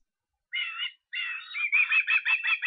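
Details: Osprey recorded 23 August in Estonia: two longer high whistled notes followed by a quickening string of short chirps.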